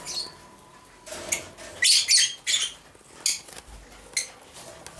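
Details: Two male masked lovebirds, 7–8 months old, dominant edged blue and dominant edged D blue, moulting and over-preening each other, give shrill, harsh chirps and screeches in irregular bursts, about seven in five seconds, over faint hiss.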